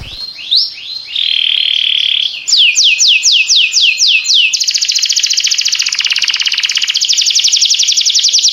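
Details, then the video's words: Singing canary: rising whistles, a steady trilled tone, a series of sharp down-slurred notes, then a long rapid buzzing trill of very high notes. "This Sweet Melody Will Excite Your Singing Canary!"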